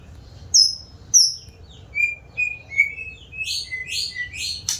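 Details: White-rumped shama singing diligently, kept for sale, with a few high sweeping whistles followed by a run of buzzy, slurred notes that climb in pitch toward the end, in a quiet setting.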